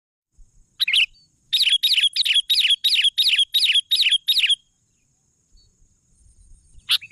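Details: Sooty-headed bulbul singing energetically: a burst of about eight quick, bright, bubbly phrases repeated in a steady run, each a warbled downward twist, then a pause and one last sharp note.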